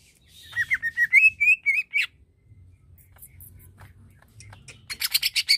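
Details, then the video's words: Greater green leafbird song aimed at provoking other leafbirds: a sequence of quick slurred whistles climbing gradually in pitch, a quiet gap, then a short burst of harsh rasping notes. "Bikin Cucak ijo Lain Terpancing Emosinya"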